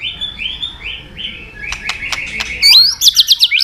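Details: White-rumped shama, singing mimicked fill-in phrases: soft repeated rising whistles at first, then a louder burst of rapid trilled notes and sharp upward slurs at the end.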